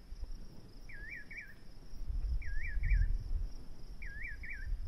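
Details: Nightjar calling: paired wavy whistled notes, each pair sliding up and down, repeated about every 1.6 seconds over a low rumbling background.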